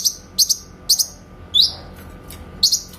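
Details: For tutoring white-rumped shamas, a grey-cheeked bulbul recorded cleanly: piercing high double chirps at half-second intervals, one lower rising slur, then faint notes and a final sharp burst.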